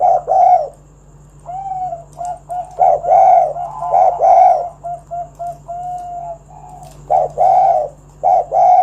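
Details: Spotted dove giving energetic 'kuk 1' song to draw other doves into singing; clustered mellow coos and short soft notes in irregular runs, some phrases longer and sustained, with a constant low background hum.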